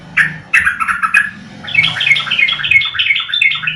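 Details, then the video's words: Yellow-vented Bulbul (trucuk) calls played to lure birds into singing: bursts of bubbly, chattering notes that become a steady run of short warbled phrases in the second half. "Panggilan burung trucuk"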